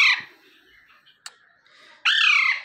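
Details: An Alexandrine parakeet calling in the morning gives two loud, harsh, grating screeches, a short one at the start and a longer, slightly falling one near the end, with a faint click between.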